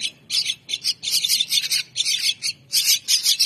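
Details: Hungry mynah chicks beg at feeding time with loud, scratchy, broadband squawks in short clustered bursts, separated by brief pauses.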